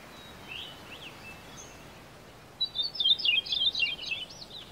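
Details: Male Maui parrotbill singing in the wild on Maui, Hawaii, its song likened to a sewing machine: after faint whistled notes, a burst of rapid, chattering high notes lasting about two seconds over steady hissing forest background noise.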